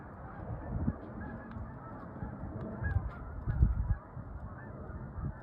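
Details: Large groups of distant Canada geese flying high overhead on 4 January honk, with scattered nasal calls from passing flocks over a low, rumbling background.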